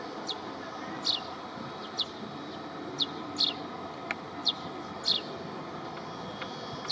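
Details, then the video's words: Iago sparrow (Passer iagoensis), endemic to the Cape Verde islands, gives short, bright descending chirps about once a second, some doubled, over a steady low background rumble. "Gorrión de Cabo Verde, Iago sparrow (Passer iagoensis)"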